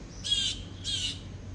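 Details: Bird calling outside during an indoor talk: two harsh, squawky notes about half a second apart, each short and high with a raspy texture, over a low steady room hum.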